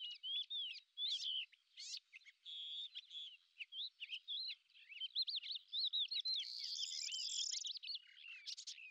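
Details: Lesser grey shrike sings a long run of chattering, squeaky phrases mixed with thin whistles and harsh notes, growing denser and buzzier toward the end.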